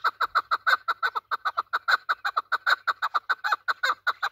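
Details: Desi Afghan chukar partridge, a hunting bird, delivering a continuous loud chattering series of coarse chuck notes, about five per second, evenly strong from start to finish.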